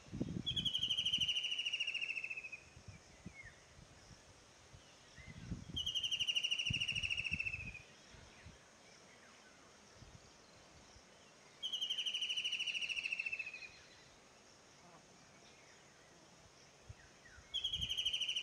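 White-throated kingfisher giving loud, shrill rattling trills that slide slightly downward, repeated every few seconds.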